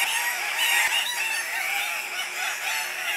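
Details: Andean cock-of-the-rock males calling at their lek while competing for breeding females; a short burst of dense, overlapping raspy squawks, constant and loud from start to finish.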